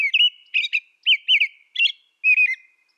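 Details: Caroling song of an American robin: rich whistled phrases, rising and falling, delivered one after another with brief gaps, clean and without background noise.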